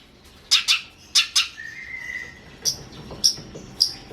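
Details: Long-tailed shrike (cendet) song used as masteran training audio for other songbirds: sharp, broad-band harsh notes in pairs and singles, with a brief level whistled tone between, repeated at irregular intervals.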